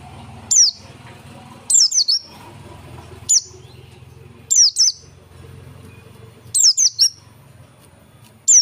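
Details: Oriental white-eye, 'pleci dakun' type, in lively song: short clusters of thin, high descending whistles, two to four notes each, coming every one to two seconds against a soft low background rumble.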